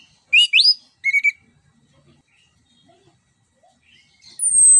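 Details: Orange-headed thrush, Southeast Asian forest songbird, song played to lure a silent bird into singing: a few brief high whistled notes that sweep upward, then a long quiet gap and a thin high whistle.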